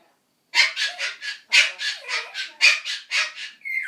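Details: Pet Ducorps's cockatoo in a room, a rapid series of coarse, rasping squawks about a quarter-second apart after a brief silence, ending in a drawn-out nasal, whining note.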